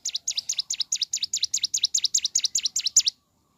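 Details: Bar-winged prinia in full morning song: a fast, regular run of about fifteen high, sharp chipping notes, each a quick down-up flick, delivered in roughly three seconds before falling silent.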